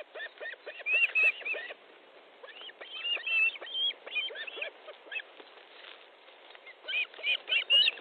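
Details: Evening fish delivery at an osprey nest in Estonia, 13 July 2014: excited, high whistled yelps in irregular clusters, some notes bending downward, with short pauses between groups.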